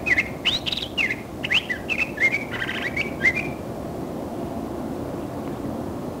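A Curve-billed Thrasher sings a quick run of varied, rich whistled and chirping phrases for about three seconds, then falls silent over a low background rumble.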